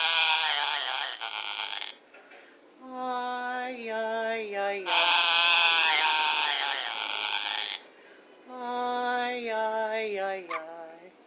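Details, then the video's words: A parrot named Jose sings the tune "Cielito Lindo" in clear, stepped notes rising and falling through short phrases, broken by two loud bursts of harsh, hissing noise. "singing parrot"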